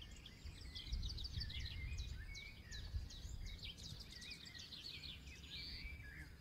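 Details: Mixed forest birdsong, several birds overlapping in rapid chirps, buzzy trills and rising whistles, over a constant low background hum.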